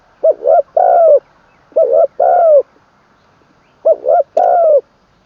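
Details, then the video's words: Spotted dove decoy during its third training session, crowing full-voiced with a kuk ending. Three evenly spaced phrases, each a hiccuping two-part coo followed by a sustained descending coo, over faint steady hum. "ขันลงกุกวัย เสียงกลางเต็ม"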